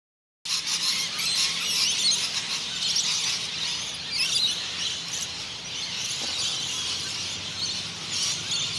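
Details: Rainbow and scaly-breasted lorikeets in their end-of-day daily squabble over a perch in the Noosa Biosphere Reserve, Queensland, Australia: a dense, continuous wash of shrill, harsh screeching and squealing from many birds, without pause after a brief silent start.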